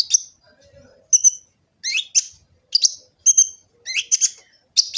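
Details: Sunbird called kolibri ninja, recorded by phone in Gresik, East Java, as master song for training birds: separated bursts of high metallic chirps and downslurred squeaks roughly every half second, with a faint lower whistle early.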